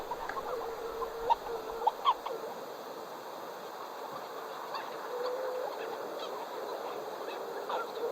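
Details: Hawaiian petrel at its protected nesting colony on the crater rim atop Haleakala, giving low moaning calls with a few short rising yelps, spaced irregularly over a steady faint hiss.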